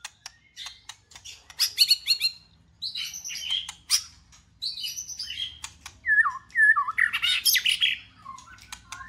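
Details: Song of a white-rumped shama, played to get a pet shama singing: varied phrases of clicks, buzzy high warbles and scratchy notes, ending with clear downslurred whistles and a rich tumbling flourish.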